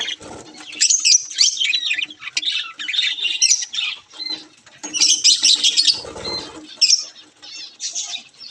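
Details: A flock of budgies gives continuous raspy high chatter and squawks, with some wing flutter and a low rumbling noise about six seconds in.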